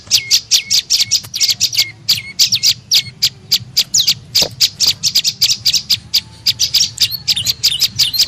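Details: A tailorbird's high chirps used to lure birds, at first dropping into short lower whistled tails, then a fast steady chatter of sharp notes, with one faint thud partway through.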